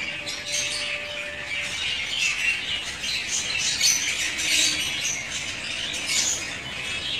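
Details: African lovebirds, a breeding pair, kept in captivity: dense continuous high chattering and chirping with squeaky notes throughout, several birds calling at once, with a steady faint tone in the background near the start.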